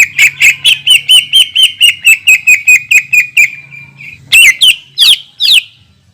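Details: Cucak ijo song played to provoke other leafbirds: a steady run of about twenty quick, bright repeated notes, then a pause and several loud, sharp downward-sweeping whistles.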